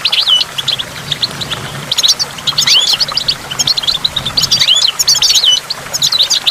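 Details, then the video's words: Goldfinch singing near a waterfall with water drops, in a recording made to stimulate goldfinches: quick, high, bright twittering chirps and short rising whistled slurs pour out almost without pause, with a faint low rumble underneath. "in the waterfall stimulates goldfinch and water drops"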